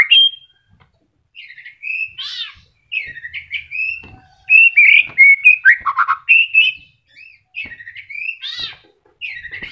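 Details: Caged white-rumped shama during moult singing short varied phrases of slurred whistles with occasional harsh buzzy bursts, delivered in rapid irregular succession.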